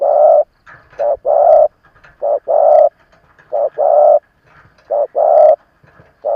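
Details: Old decoy spotted dove provoking rivals, cooing loudly and evenly. Each phrase is a brief lead note then a longer, rounded hoot, cycling roughly every second and a quarter.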